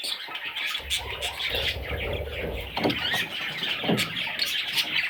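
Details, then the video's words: Parrot chicks keep up a steady, rasping chatter of overlapping chirps, with some lower squeals and a constant low background hum. "Parrot Chicks"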